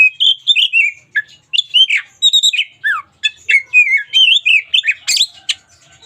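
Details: Energetic singing from a local Oriental magpie-robin, with continuous warbled whistles, slurred rising and falling notes and high sharp accents in quick succession.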